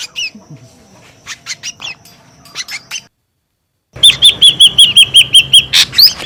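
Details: Ashy drongo noisy lure call: soft scattered chirps, a short pause, then a loud run of about a dozen quick, high, down-slurred whistled notes with a harsh burst near the end.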